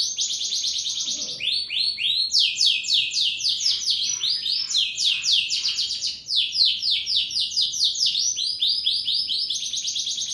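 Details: Canary in full, vigorous song: a continuous stream of fast, high rolling trills and rapid sweeping notes that change pitch every second or so, with no other clear sounds.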